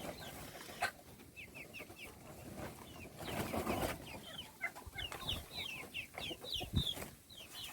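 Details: Quieter peeping of little chicks around their meal: bursts of thin, descending chirps in quick runs, overlapping one another, over a soft rustling background.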